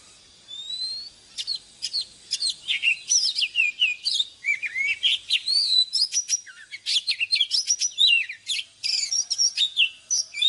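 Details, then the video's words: Old wild oriental magpie-robin singing in the morning, a recording used for training caged birds: a rich, nearly continuous stream of high, clear whistles, sliding notes and quick chirpy twitters in varied phrases, with no other sounds. "เสียงนกกางเขนบ้านหรือนกบินหลาขี้ควายใต้ Choè than Già rừng hót zbuooir sáng cực hay"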